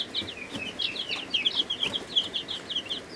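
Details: High, rapid downward-sliding peeps from a brooder of week-old chicks (Ameraucana, Buff Orpington, Rhode Island Red, Barred Plymouth Rock, Black Australorp), several birds calling over one another almost without pause.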